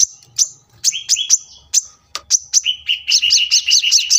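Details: Coconut hummingbird (sunbird) in lively song, recorded to train cage birds at a house by a road; high thin downslurred chips mixed with lower notes, building to a rapid rhythmic trill of paired notes at the end.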